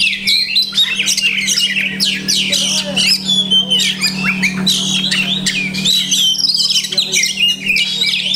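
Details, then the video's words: Oriental magpie-robin singing a dense, varied song full of mimicked phrases: rapid whistles, harsh chatter and sweeping notes run together without pause, over a steady low electrical hum indoors. "Banyak Masteran iNi Kacer"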